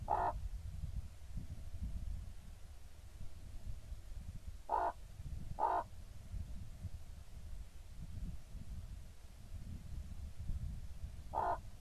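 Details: Common raven pair at the nest, 28 October 2016: four rough, harsh croaks, one at the start, two close together near the middle and one at the end, over a steady low rumble.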